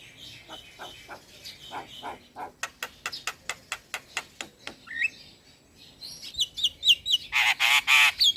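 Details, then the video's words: Song of a young male black-winged myna meant for tutoring and calming stressed birds: soft notes, then a fast regular train of dry clicks about four per second, ending in loud harsh rasping bursts with whistles. "Jalak Kebo Jantan Muda Gacor PAs Buat Masteran dan terapi Burung Jalak Stres"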